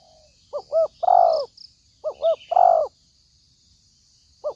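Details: Spotted dove lure call for trapping: two full low phrases of two rapid notes and a long hoarse coo, plus the start of a third, with faint high chirps of other birds.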